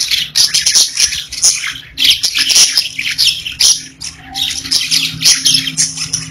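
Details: Pet budgerigars chattering with harsh squawks mixed into the high chirping warble, in uneven bursts with brief quieter gaps.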